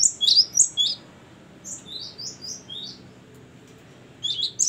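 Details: Ngeplong and gacor singing by a gelatik batu, the Great tit: loud high chirps at the start, softer whistled notes through the middle, then a loud burst returning at the close.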